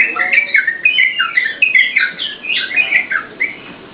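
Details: Yellow-vented bulbul singing energetically for cage-bird lure and tutoring use; a burst of rich, bubbling whistled notes with some higher slurs, tailing off into quieter phrases at the end.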